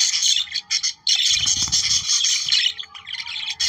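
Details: Budgerigars singing for breeding stimulation, sharp squawks and chirps merging into an almost unbroken scratchy warble, a brief low rumble near the middle.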